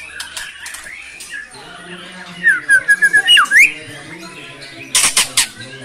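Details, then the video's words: Caged white-rumped shama singing vigorously with its song material and mimicked fill-ins. Varied whistles and then a run of short slurred notes, ending in bursts of high chatter, over a faint background hum. "Murai GACOR bongkar MATERI * isian BRANTAKAN"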